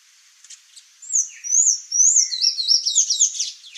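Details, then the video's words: High, thin sayaca tanager song: soft faint ticks, then three rising squeaky slurred notes leading into a busy, rapid twitter of squeaks and chips. "Sayaca Tanager Bird Song"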